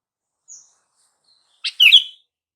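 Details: Sooty-headed bulbul call used to get silent bulbuls to respond: a faint thin high note, then after a pause one lively chirping phrase ending in a slurred whistle.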